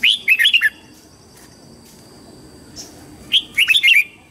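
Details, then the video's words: Morning song of a red-whiskered bulbul: two lively phrases of quick, chortling whistled notes, one at the start and another after a three-second pause with a faint chirp. "Luyện giọng chào mào hót sáng hay nhất để luyện má trắng"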